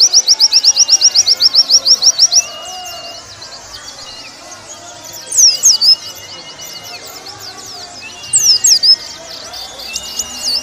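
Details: Warbling white-eye song used as a training recording for caged birds: a fast run of thin, high, sweeping notes for about two seconds, then scattered twittering and two short bursts of rapid squeaky notes over faint chatter.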